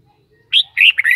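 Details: Red-whiskered bulbul kept by its owner giving a brief whistled note followed by a rapid, slurred warbling burst of rising and falling notes.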